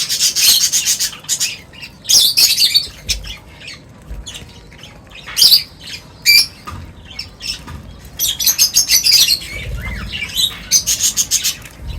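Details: Many birds gathering for a meal at feeding time, in loud, harsh, overlapping chirping that comes in dense bursts separated by brief lulls.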